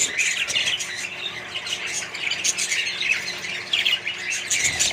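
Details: Many budgerigars kept with other birds in a colony keep up a busy, even chorus of squeaky chirps and short harsh squawks.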